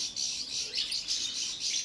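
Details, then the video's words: Balkan goldfinch, subspecies balcanica, giving a quick, high, tinkling twitter in rhythmic bursts roughly every quarter second, with a light, liquid, buzzy quality. "Kontrola pesme, štiglić, češljugar, grdelin n, carduelis balcanica"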